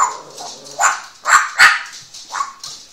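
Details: A one-year-old Grey parrot kept as a house pet utters a run of short harmonic, bark-like calls, each rising and falling, about four loud ones in quick succession, with softer chatter between.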